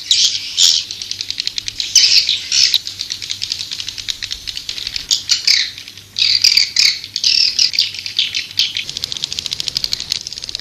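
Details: White-nest swiftlet lure call for attracting swiftlets: repeated high, scratchy chirping bursts separated by short pauses, with rapid ticking between them.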